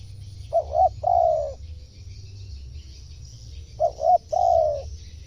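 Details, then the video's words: Spotted dove cooing as a lure for wild birds: the same three-part phrase, two brief coos then a long gently descending one, given twice about three seconds apart against a quiet low background hum. "suara tekukur cocok memanggil burung luar"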